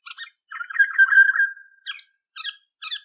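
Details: Olive-backed oriole giving a long harsh, nasal, buzzy squawk of about one second, followed by three short scratchy notes spaced roughly half a second apart, in a quiet setting.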